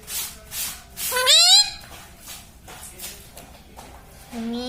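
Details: Talking pet parrot that mimics words like "Sita Ram": one loud, rising, reedy syllable, then quiet, and a lower drawn-out note starting at the very end.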